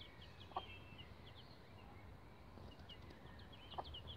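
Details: Young bantam Rhode Island Red chicks about 11 days old on a chicken ladder, giving sparse, fairly faint high peeps and short downward chirps over steady low background rumble, with two soft knocks.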